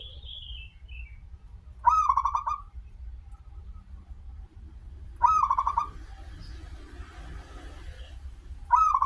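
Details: A local zebra dove in active voice, known for its long opening note, coos as a lure for others to sing. Three short rippling phrases come roughly every three and a half seconds, each starting on a sharp higher note. Faint background hum.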